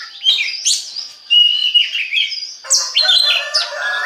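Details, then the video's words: Oriental magpie-robin song used as a lure to get other magpie-robins singing; loud, clear whistled phrases with rising and falling slurs and some buzzy notes, delivered in quick succession. "DI JAMIN BIKIN KACER LAIN AUTO GACOR DENGAN PANCINGAN BURUNG KACER INI"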